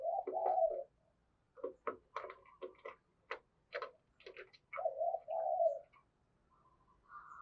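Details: Decoy spotted dove with a strong 'thúc' voice: a mellow coo opens, then a run of sharp ticking clicks, then another smooth drawn-out coo and a faint rising note at the end.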